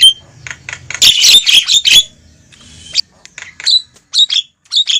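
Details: Loud lure call of Javan myna used to attract wild birds to a trap: a burst of grating squawks, a quiet gap, then short sharp chips and raspy notes.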